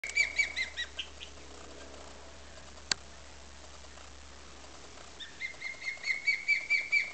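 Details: Female osprey sitting on her nest at Tiger Point on Pumpkin Hill Creek, protecting it, recorded 20 May 2007: a rapid series of high thin chirps at the start, a pause with one click, then the chirping resumes.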